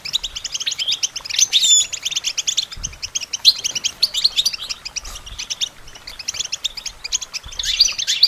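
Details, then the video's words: Long goldfinch song for songbird training, an unbroken tinkling chatter of rapid high notes with occasional sharp whistles and brief louder bursts. "Goldfinch Training With Stimulating Support for Songbirds"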